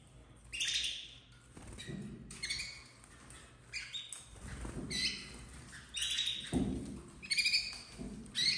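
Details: Captive red frosted domestic canary chicks, 2024, giving bursts of high, harsh chirps and squeaky cries in irregular clusters, with brief low thumps and rustles between calls.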